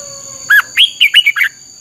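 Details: Red-whiskered bulbul training song meant as a lure for teaching caged birds, 'căng lửa' style: six separate bright whistled notes, each a short rising or falling slur, spread over one second with brief gaps.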